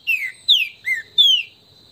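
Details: Green-winged saltator (trinca-ferro) giving its esquenta warm-up song in the bush in Brazil: four loud whistled slurs, mostly falling, about half a second apart, over a steady high insect-like drone.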